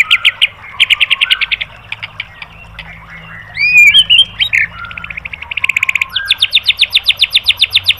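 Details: White-rumped shama tutor song (masteran) used for training caged birds: bursts of rapid high chattering trills, a brief loud harsh squawk in the middle, then a long fast run of sharp repeated notes.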